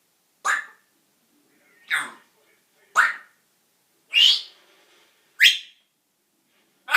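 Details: Pet male parrot that swears, here giving five short, loud, bright word-like calls, each a quick downward sweep, spaced about a second apart in a quiet room.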